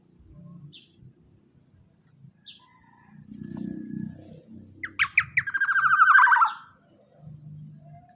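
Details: Black-naped oriole in vigorous full song: after soft scattered chirps, a loud harsh burst of rapidly pulsed, buzzy nasal notes builds and slides slightly downward for about two seconds, over a low background rumble.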